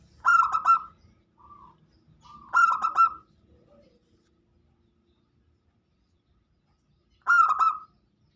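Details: Local zebra dove song used as a lure to prompt other birds to sing: clipped, staccato cooing bursts with a short, softer note between them, then silence before a final burst.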